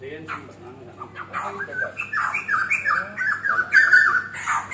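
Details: White-crested laughingthrush singing in a recording used as a tutor for training songbirds: a run of rich, harmonic, fluty phrases that start low and climb, turning into jumbled chattering notes that grow louder toward the end.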